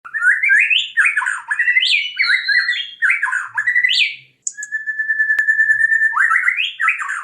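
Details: Caged white-rumped shama in breeding condition singing a rich, rapid stream of varied whistled and warbled phrases, broken by a long steady held whistle before the fast phrases resume.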